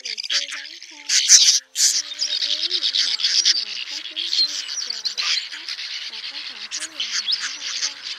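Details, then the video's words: A trapping lure of male and female swiftlets calling the flock to roost. Harsh, buzzy, high chattering pours out almost without pause, with a short gap near the start and soft lower warbling notes beneath. "Tiếng Én Mốc , Nhạn Nâu Xám Gọi Bầy Ru Ngủ Lùm , Trống Mái Kêu Chuẩn Nhất 2024"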